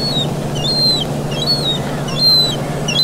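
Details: Young gull begging while being fed in the town of Vannes, Brittany, on 17 August 2022: thin, high, slightly falling whistled peeps, four or five in three seconds, over a steady low urban hum.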